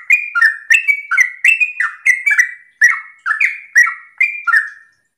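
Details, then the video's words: Yellow-vented bulbul giving gacor ropel song in the morning to make other bulbuls sing along. Eleven or so bright, liquid, two-note slurred phrases follow each other at a rapid, even pace. "Pancingan trucukan gacor ropel pagi hari trucukmu pasti langsung nyaut"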